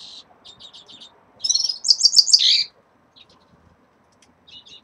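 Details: Caged red-fronted serins at moult onset: soft repeated chips build into a loud, fast trill of rising and falling buzzy notes, then fade to scattered faint twitters.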